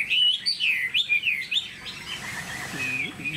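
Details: Caged tame Chinese hwamei giving several loud, swooping whistled notes, after which the song fades into softer, quieter phrases, with a faint low murmur near the end.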